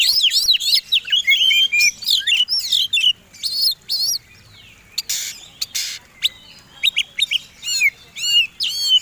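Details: Fighting Oriental magpie-robin delivering a combination song used to goad other birds: wavering whistled phrases and rattling notes early, a brief harsh rasp, then scattered sharp chirps and buzzy bursts.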